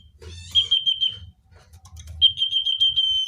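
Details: Common iora, natural song used as a lure for wild birds: a high, steady whistled trill near one pitch, delivered in two bursts separated by a short pause, over faint low rumble.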